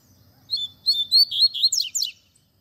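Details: Double-collared seedeater song in the tui tui zel zel style, a recording for teaching young birds. Clear whistled notes lead into quick, buzzy down-slurs over about one and a half seconds, then quiet.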